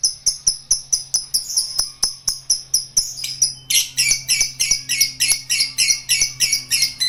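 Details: Lovebird giving a long ngekek trill: after sharp evenly spaced ticking, a dense high chattering burst of rapid buzzy notes runs unbroken for the last three seconds.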